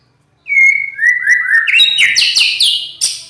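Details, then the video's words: White-rumped shama with a loud, harsh voice, singing a clear whistled note that slides down in steps, then a quick run of rising, buzzy, harsh phrases that climb higher toward the end. "Kicau murai Batu,Suara kasar"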